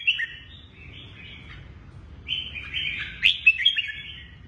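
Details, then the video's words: Red-whiskered bulbul of the Lân Tê type, a kept bird with a shrimp-shaped back and drooping wings, gives a lively warbled song. Two bursts of bright, rapid chirping notes are separated by a short pause, with a faint low hum beneath. "Chào mào Lân Tê quá đẹp, lưng tôm cánh xệ nết rê 2 cầu"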